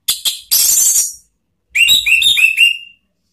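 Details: Orange-headed thrush song in the ngeplong style, a lure meant to set other birds singing: two harsh buzzy high bursts, a pause, then a run of short rising whistled notes.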